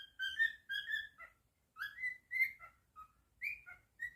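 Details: Pet cockatiel whistling a melody of rising and falling slurred notes in quick, uneven bursts, with brief pauses between phrases in a quiet room.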